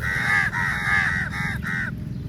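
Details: A large flock of crows attacks the food at feeding time, calling loudly: four harsh, drawn-out caws in quick succession, the first two longest, over a low background hum.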